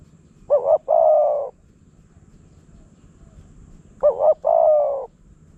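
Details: Wild spotted dove lured by a decoy, Phrae, Thailand: two identical phrases about three seconds apart, each a quick wavering double note followed by a longer, smooth low coo.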